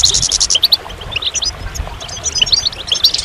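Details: Goldfinch singing in quick bursts of bright, high chirps and short twittered phrases, broken by brief pauses, over a soft low background hum.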